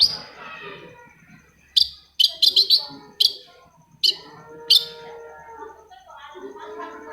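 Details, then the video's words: Long-tailed shrike song used as a lure to prompt quiet shrikes to sing: short, sharp high chirps in bursts, a quick cluster of four near the middle, over a soft background of lower tonal notes. "PANCINGAN AMPUH!!! UNTUK MEMANCING CENDET PENDIAM YANG LAGI MALAS BUNYI"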